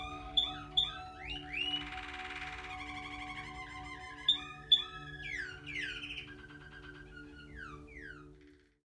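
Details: American Singer canary at a breeding setup in Ann Arbor, Michigan, singing a varied song of sharp chirps, rapid trills, buzzy rolls and quick whistled sweeps that fades out near the end, over a steady low electrical hum.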